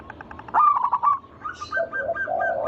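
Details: Lure song of a local zebra dove meant to set other doves singing: a fast string of bright clipped notes, then rolling coos alternating between higher and lower pitches.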